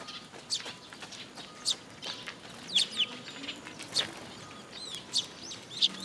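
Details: Eurasian tree sparrows flocking to a post feeder at a Tenmangu shrine on 26 June 2022 keep up a loose run of short high chirps, a few clustered quickly together, over steady low background hiss.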